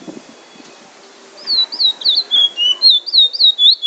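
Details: Trinidad bullfinch, drawl and wheet drawl song: quiet opening with faint background sounds, then from about one and a half seconds a brisk series of clear, swooping whistles, roughly four per second.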